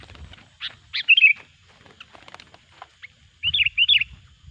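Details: Lure recording of a sooty-headed bulbul for trapping bulbuls: a cluster of sharp chirps and a warbled phrase, faint scattered ticks, then two quick rolling phrases at the end, with low rumbling behind.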